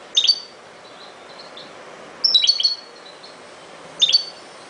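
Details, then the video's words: European goldfinch singing in three quick bursts of sharp, high, tinkling notes, the middle burst a longer rapid twitter, with soft thin notes between bursts over a light background hiss. "chant de chardonneret"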